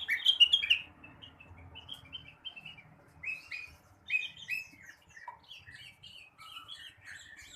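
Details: Morning singing of a blue-winged leafbird, used to stimulate untrained birds: a loud, rich warbled phrase, then varied high chirps and slurred whistles tumbling in quick irregular sequences.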